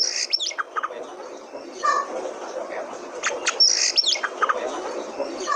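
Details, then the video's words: Oriental magpie-robin, a territorial bird kept to prompt other magpie-robins into singing; scattered sharp high chirps and short whistled notes over a hissy background, with brief pauses between bursts. "Pancingan Kacer Paling AMPUH,Untuk Pancingan kacer BAHAN agar Cepat Gacor"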